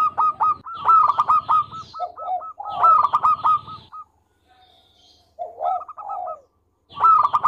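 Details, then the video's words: A local zebra dove in vigorous song for training birds. Loud repeated bursts of rapid hooked staccato notes alternate with lower rolling coos, with a brief quiet gap midway. "Perkutut Lokal Gacor Suara Merdu Buat Masteran"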